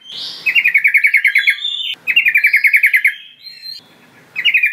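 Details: Sooty-headed bulbul lure call: rapid rattling series of repeated chirps, about a dozen per burst, delivered in three loud bursts with short pauses and a faint higher whistle between.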